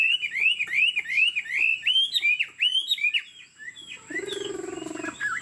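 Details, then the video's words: Caged purebred Chinese Hwamei repeats a bright whistled phrase, a quick rising slur given over and over at a fast even pace, then a harsh scratchy burst closes the sequence. "Họa mi thuần 90%, chơi cánh, hót gật gù múa lân"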